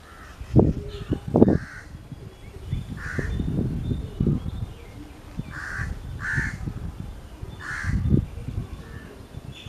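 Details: Jackdaw calling in a forest: short, harsh, clipped calls given singly and in pairs at irregular intervals, with low rustling and thumping noises underneath.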